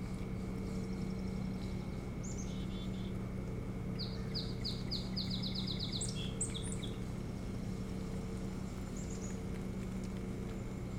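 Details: Calls of an osprey at its nest on Hog Island near Bremen, Maine, from a nest cam in July 2018: a few faint chirps, then a fast burst of repeated sharp falling whistles around mid-clip, over steady background hum.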